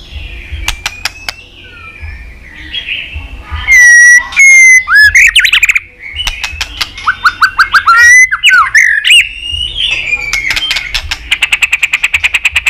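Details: Continuous white-rumped shama song played to stimulate shamas: scattered clicks, loud varied whistled phrases with quick upslurs, a run of rapid chips, and a final fast ticking trill.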